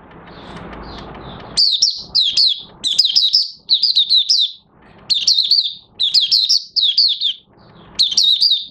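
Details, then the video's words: Oriental white-eye (local name mata puteh raja) in early song on 30 August 2022, new white plumage almost finished; after faint hiss, a stream of high, sweet twittering phrases separated by short breaks. "Mata Puteh Raja Buka Sing"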